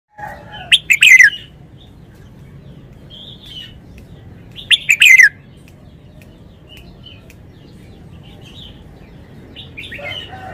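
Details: Red-whiskered bulbul singing in the forest-song style with bold phrasing: two loud, bright, warbled phrases about four seconds apart, each a quick cluster of sharp notes sweeping downward, with softer twittering notes between and a steady low hum beneath.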